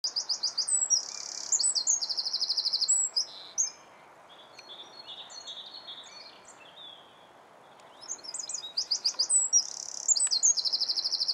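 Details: A Eurasian wren in Alkmaar, Holland, sings two loud, high, rapid bursts of rattling trills and sharp notes, each about three seconds long, with a quiet pause between them.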